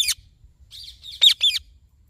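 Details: Short, grating squawks from a green ringneck parrot, with a brief softer buzzy note before a loud pair of calls.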